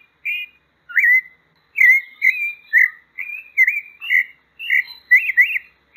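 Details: Sabiá-poca song: a mixed sequence of whistled slurs and quick warbling notes that becomes denser and more trilled toward the end; clean, with no other sounds.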